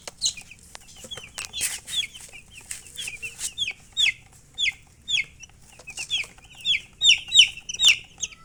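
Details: Baby chicks chirping: many short high peeps, some falling, scattered and overlapping through the stretch, growing louder and more regular toward the end.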